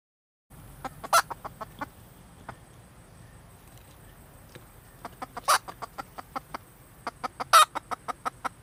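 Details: Female red junglefowl giving soft, evenly spaced clucks about three per second, broken by three short harsh squawks, against a faint low hum.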